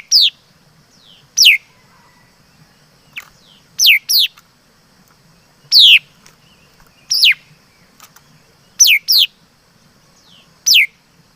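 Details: Repeated song of a mi đất laughingthrush: about ten crisp, falling whistles over eleven seconds, some in close pairs, each quick and high, steady soft background hum.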